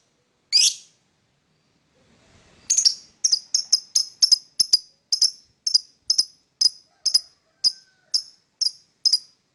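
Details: Lovebird chirping in the morning: sharp high chirps repeated about twice a second, each a short bright note, after an opening squeak and a brief pause; no other sounds.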